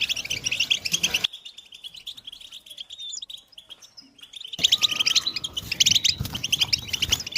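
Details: European goldfinches in collective twittering meant to prompt males to sing: a burst of dense chattering, then a quieter stretch of a few thin, drawn notes, then the busy chorus returns.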